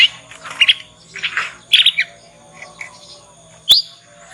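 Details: Young Yorkshire canary practising the ngriwik sound, a lure for teaching other canaries; clustered high twittering notes over the first two seconds, then softer scattered chirps and a sharp upward note toward the end.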